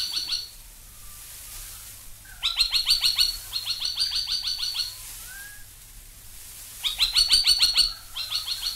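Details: Spine-tailed Logrunner calling in two bursts of loud, sharp, rapidly repeated high notes, each burst lasting a couple of seconds, with quieter scattered notes between.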